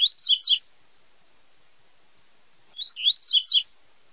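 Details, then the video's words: A Double-collared seedeater (coleiro tui tui) gives two short bursts of high, sweet twittering song, the second phrase about three seconds after the first; otherwise quiet. "CANTO DO COLEIRO TUI TUI ZEL ZEL"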